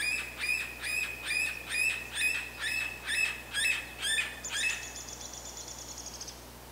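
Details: A Yellow-bellied Sapsucker in Quebec gives about nine nasal, mewing calls, roughly two per second, followed by a thin, steady high whine near the end.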